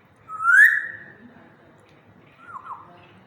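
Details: African grey parrot in a happy mood: a loud whistled note that rises then glides down and fades, followed by two softer wavering whistles.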